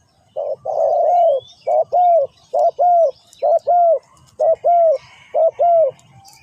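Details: Spotted dove repeating its coo phrase about once a second, seven times in all. Each phrase is a short double note ending in a longer falling coo, with faint chirps behind.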